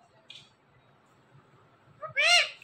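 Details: Near-silence with a faint click, then a pet parrot, one of a talking pair, calls out a quick two-part word ending in a loud, bright, arched syllable.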